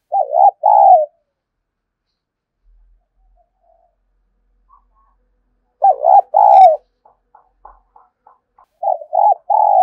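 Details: Spotted dove giving a lure call, known locally as kích bổi. Three bursts of low, mellow, throaty cooing come at the start, middle and end, with faint soft notes in between and long silent gaps.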